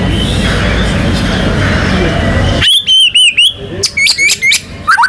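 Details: White-rumped shama in gacor song with nembak and ngerol fills, used to prompt other birds to sing. After loud broadband noise, crisp whistles follow in quick bursts, some arched, some sharply rising.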